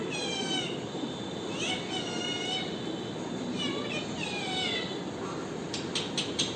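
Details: ['Parrot calling with repeated harmonic notes that rise and fall, grouped into short phrases, ending with a few sharp clicks, over steady background hiss.']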